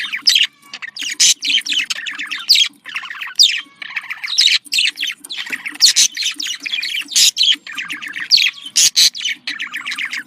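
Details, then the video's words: Budgerigar calls for contact, presented as making birds happy: continuous busy warbling of quick chirps, squeaks and clicks, near-unbroken throughout, over a faint low hum. "Voz decomunicación.de loro australiano /sonido de llamada de periquito / se sentirá feliz"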